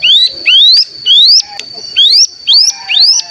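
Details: Mountain tailorbird lure meant to make other birds sing: loud, clear whistled notes sweeping steeply upward, repeated roughly every half second, with a constant thin high tone running underneath.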